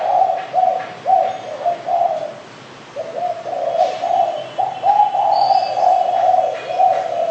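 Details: Derkuku or spotted dove giving a long run of rhythmic low coos with one brief break, accompanied by light clicks and a faint higher chirp.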